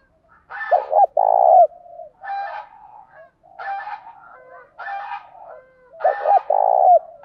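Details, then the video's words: Spotted dove decoy bird with a fine, well-structured cooing voice, used to stimulate other doves. Two phrases of deep coos: two short clipped notes, then a long rolling, vibrating coo, with rougher harmonic calls between. "Chim cu gáy mồi có giọng gáy hay và bài bản, kích bổi nhanh nổi và gáy nhanh"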